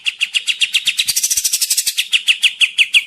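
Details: Kapas tembak singing nonstop, a lure recording for forest trapping: rapid repeated chirps throughout, speeding into a dense buzzy rattle in the middle before slowing back to separate sharp notes.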